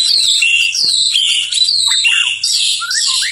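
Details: White-rumped shama singing at night in a short, loud, continuous stretch of shrill whistled slurs and scratchy high notes, with two falling chirps at the end.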